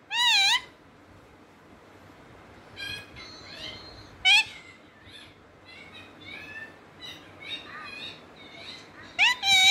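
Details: A parrot talking: a run of loud harmonic calls and chatter, some sharply rising and falling, bursts clustered at the start, middle and end with quieter warbling phrases between.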